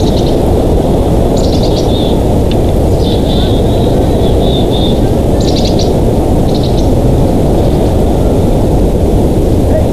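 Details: Bald eagle pair at their Big Bear Valley nest, from a live nest cam on 25 December 2022. Several short, high, squeaky chittering bursts spread through the recording, set against a constant heavy low-pitched roar.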